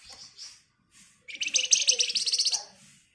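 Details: Javan white-eye, a caged songbird used as a lure to provoke other birds to answer, giving an excited, rapid buzzy 'ngebren' song: one dense, high, rattling trill lasting about a second after faint chirps.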